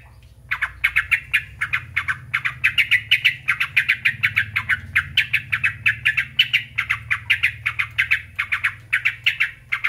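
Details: Sooty-headed bulbul chattering to provoke other bulbuls to answer, starting after a half-second lead-in, with rough repeated notes in quick groups over a low background hum.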